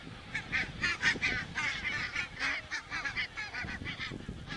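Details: Geese calling in Estonia on 27 September 2017, caught by a crane webcam: clear, loud nasal honks in quick irregular series, roughly two per second, over a murmur of more distant birds.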